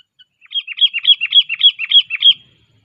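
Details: Sooty-headed bulbul in training, 'cengkram' style, pouring out a fast run of about eight repeated chirpy, rolling whistled notes over two seconds, loud and clear against silence.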